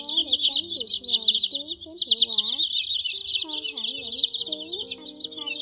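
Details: Common sandpiper, a lure recording from August 2020 for catching migrating birds in nets at night: continuous high, buzzy trilled calling, dense and unbroken, over lower sliding whistles and steady tones.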